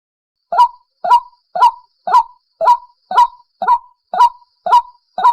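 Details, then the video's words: White-breasted waterhen call used as a lure for trapping, a harsh nasal honking note repeated steadily about twice a second, each with a quick rising then falling pitch, clean with no background noise. "Tiếng quốc mồi"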